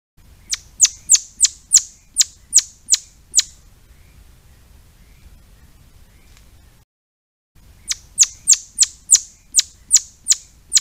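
Swinhoe's pheasant giving sharp, high, down-slurred notes about three per second, in two quick bursts with a short pause between.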